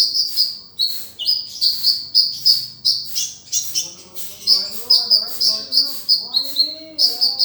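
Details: Sunbird master song for training other songbirds, konin dacok with rich filler: an even, rhythmic series of high sharp chirps, roughly three per second, with faint low background tones.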